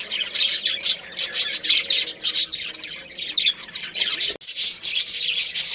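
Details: Budgie colony with a breeding pair, many birds chattering together in high, rapid chirps and squawks, nearly unbroken, with one brief dropout past the four-second mark before the twittering resumes.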